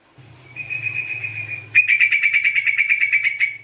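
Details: Chatty sooty-headed bulbul, meant as a lure and for therapy: a long, level whistled note, then a rapid series of pulsed notes about six per second, with a low background hum.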